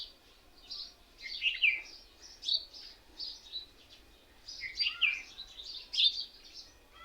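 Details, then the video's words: Many mynas sitting together in one tree, said to mimic other birds as if laughing at each other: scattered bursts of high, squeaky chirps and whistles in loose clusters, with quieter gaps between them. "Mayna Birds sounds"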